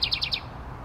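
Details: Wren, owner fairly certain a house wren, one of a pair nesting in a birdhouse: four quick, high, down-slurred chips in under half a second, then silence over a faint low hum.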